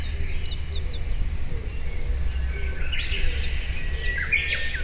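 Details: In a Japanese forest in Tochigi Prefecture during May 2019, a Blue-and-white flycatcher sings, recorded binaurally: short high upslurred notes, then a rich rapid warbled phrase and a long thin whistle, against low steady ambient rumble.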